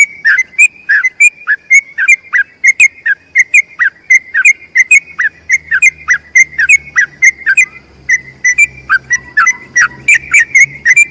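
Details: Sooty-headed bulbul giving a long rolling song for other bulbuls to copy: fast, continuous chain of bright whistled notes with sharp downward flicks, over eleven seconds; a low hum runs through the second half.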